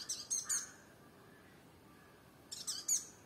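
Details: Sunbird at firebush in Kerala: two short clusters of sharp, high, tinkling chip notes, about two seconds apart, over quiet background hiss.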